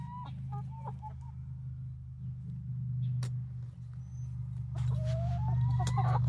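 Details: A 19-week-old flock of three Barred Rock and four Gold Star chickens in Grimes County, Texas, near Iola: short tonal calls in the first second, then a drawn-out rising call near the end, over a steady low hum.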